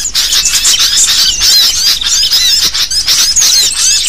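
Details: Sooty-headed bulbul, a noisy calling lure recording: dense, overlapping high chirps and short rising and falling squeaky notes chatter continuously with no pauses, as if from several birds, with a faint low hum underneath.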